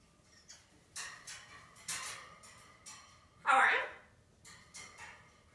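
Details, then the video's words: A blue-and-gold macaw mimics human speech, saying "bird crap" in a loud, hoarse, voice-like phrase among several shorter breathy, scratchy bursts in a small indoor room. "Blue and gold macaw talking "bird crap""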